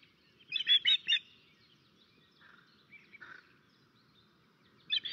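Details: Alarm from an Estonian osprey on its nest, 13 May 2024, under attack by a crow: a quick triple of piercing whistled yelps, then softer scattered notes and a fresh burst at the end.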